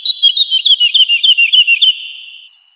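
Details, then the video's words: A woodlark sings in spring woodland, a short descending cascade of about a dozen rapid, liquid notes that trails off into a fading whistle. "Woodlark (Lullula arborea).Birds Singing and Chirping in Forest."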